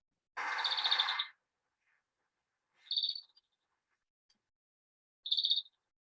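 European greenfinch flight calls: short, bright twittering bursts, two of them about two seconds apart, after a louder, harsher opening burst.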